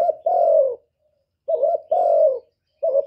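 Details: Spotted dove giving low, hollow coos: a short wavering double note, then a long steady drawn-out coo, then the phrase starts again after a pause of about a second. The background is silent.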